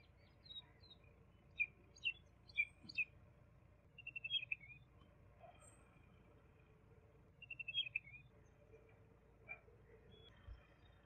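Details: Juvenile common babbler giving sharp, high chirps in a quick scattered run, then two rapid buzzy chattering bursts about four seconds apart, ending with a lone chirp; the calls are fairly quiet over a faint low rumble.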